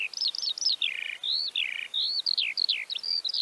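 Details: In Central Russia, a Eurasian skylark pours out a rapid, unbroken stream of high, slurred chirps and trills, swooping up and down with no pauses; nothing else is heard.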